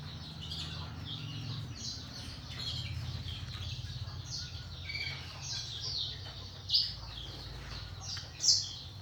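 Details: Kept singing canaries and black-throated canaries in the morning, checked for health and breeding: scattered high chirps and short twittering notes from several birds, two louder sharp notes near the end, over a steady low hum.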